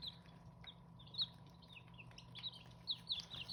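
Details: Scattered high peeps from Hmong chicken chicks, short sharp notes spaced irregularly and a few louder ones standing out, against a low steady background hum.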